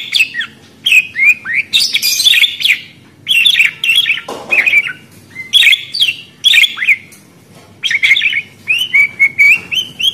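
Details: Continuous budgerigar warbling: rapid chirps, squeaks and bent whistles running almost without break, with short buzzy notes and a few louder harsh bursts.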